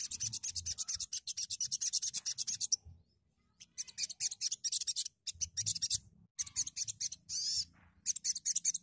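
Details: A sogon, recorded to stimulate other sogons to sing, gives harsh, scratchy, rasping chatter in rapid high bursts, broken by a few brief pauses, with a faint low hum underneath.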